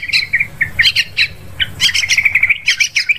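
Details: Yellow-vented bulbul calls used as a hunting lure for forest, paddy and plantation birds: quick bright chirps and warbled notes, scattered at first, then a fast even string of repeated chirps near the end.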